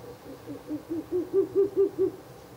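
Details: Ural owl calling close to a nest box on the night of 16 April 2024, the third night of visits, with about eight quick, deep hoots that become markedly louder.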